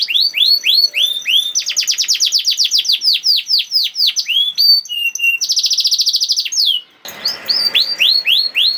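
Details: Canary singing 'nembak', meant to prompt quiet canaries to join in: curved whistles, a dense rapid trill, a steady buzzing roll, a short silence, then more looping whistled notes.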